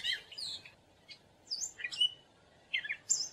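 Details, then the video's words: Gray catbird song: short, varied phrases of squeaky chirps and slurred whistles, some rising and falling, in separate bursts with brief pauses between them, over a quiet background. "Gray Catbird Call / Song / Sound"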